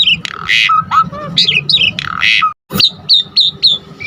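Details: Asian pied starling lure song to excite other starlings: mixed harsh buzzy bursts and clear slurred whistles, a short gap, then a quick run of sharp bright chips over faint low background noise.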